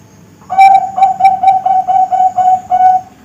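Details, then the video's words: Bangkok-type zebra dove song from young contest and breeding birds: a steady, rapid series of about nine short, even, flute-like coos on one pitch, each starting with a soft click. "Suara Masteran Perkutut Bangkok"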